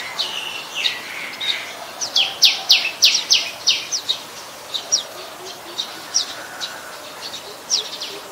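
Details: Adult Common Tailorbird (Orthotomus sutorius), a common resident of Ubon Ratchathani, Thailand, recorded 27 January 2021; loud, emphatic high chips repeated about three or four times a second in a burst, then fading to scattered notes over quiet ambience.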